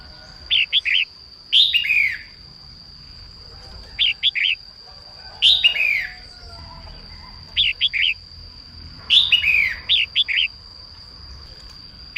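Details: Red-whiskered bulbul, a female singing in the morning to make males sing, gives alternating chirp triplets and loud downward-curving whistled phrases at intervals of a few seconds, with a constant high-pitched tone underneath.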